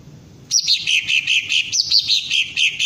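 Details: After a brief pause, a green leafbird being trained for crest-raising and ngentrok singing bursts into loud, dense, high chattering song with pulsing repeated notes.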